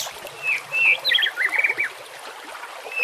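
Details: White-rumped shama singing on a training recording for caged birds: short whistled phrases and chirpy notes in a quick jumbled burst, over the soft trickle of water.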